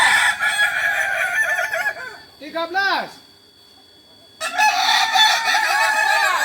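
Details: Kokok Balenggek roosters training together in Ampang Kualo, Solok, West Sumatra: crowing fades out, a lone short falling crow follows, then a pause of silence before loud overlapping crowing starts again.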